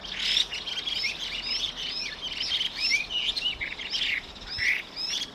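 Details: Chinese hwamei pair heard in the evening, giving harsh and shrill calls; a busy stream of short looping whistled notes, some dropping in pitch, flows continuously with changing phrases.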